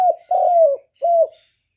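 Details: Spotted dove with a standard voice, recorded directly to lure doves during trapping. Part of a cooing phrase: a brief note, a long smooth coo that falls slightly at the end, then a shorter closing coo, with no other sounds.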